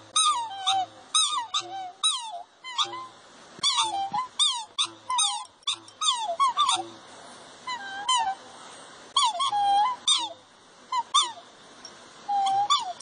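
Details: Three black swans sing and display toward a large puppy, trading high, musical bugling notes slurred up and down in quick bursts with brief pauses, sometimes overlapping.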